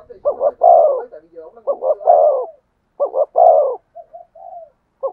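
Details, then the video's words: Spotted dove cooing in the thổ sấm voice. Mellow phrases repeat several times, each a paired clipped note and a broad drawn-out coo, and the clip ends on gentle, quieter trailing coos. "cu gáy thúc gù giọng THỔ SẤM chuẩn nhất/ the cuckoo sings beautifully"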